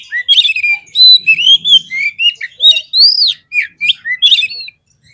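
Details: Oriental magpie-robin song played as a lure to provoke other birds into fighting mood: rapid varied whistles, rising and falling slurs and short chirps packed densely with brief gaps, loud and clear.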